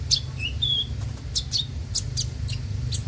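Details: Konin (kolibri ninja) song used as a lure to get birds singing daily: high thin whistled notes and sharp chirps, some long flat tones, scattered through three seconds over a steady low hum.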